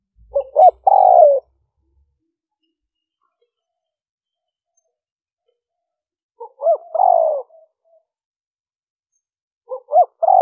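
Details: Spaced liêu ròng cooing of a spotted dove, used to draw in wild birds: three phrases about four to five seconds apart, each with two or three clipped introductory notes leading into a longer, downward-sliding coo.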